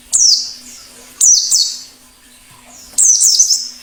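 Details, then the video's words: Plengi ngalas white-eye heard in the wild, its voice used for luring and prompting song: three spaced bursts of high, quickly falling notes, roughly one every second or so, with a low hum between. "Suara plengi ngalas"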